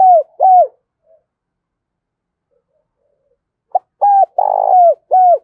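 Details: Decoy spotted dove used as a lure to draw wild doves, cooing to provoke them quickly: low, hooked, hollow coo notes in pairs, a silent pause, then a rapid run of five coos.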